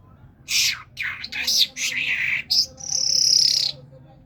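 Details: A talking common myna, described as a Kermani talking myna, gives a run of harsh, chattering, speech-like bursts, then ends on a long, buzzy, whistled note lasting about a second.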